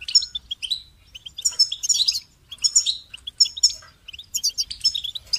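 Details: Lively, continuous goldfinch song of tinkling chirps and buzzy trilled phrases, bursts roughly every second separated by short pauses, all high-pitched, with low background hum.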